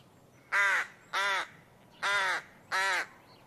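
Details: Bird uttering four hoarse, drawn-out caws at fairly even intervals, rough and buzzy in tone, against a quiet background.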